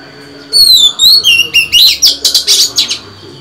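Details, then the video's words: Female Oriental magpie-robin singing to rouse male birds: a few clear, wavering whistles slide down and up, then break into a fast run of sharp, chattering notes, over a faint steady high tone. "Chòe than mái hót, kích bổi mau căng lửa! Betina kicau kacer"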